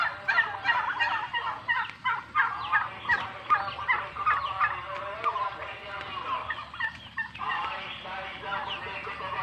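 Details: Male turkeys separated from females calling together: dense overlapping gobbles in rattling bursts, loud and continuous, with a brief lull near the end before more gobbling.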